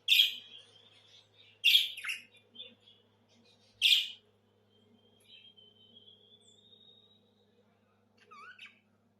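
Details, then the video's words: Budgerigar tweeting: three quick, high chirps, then a long, thin, slightly rising whistle and a final soft twittering pair of notes. "صوت تغريد طيور البادجي"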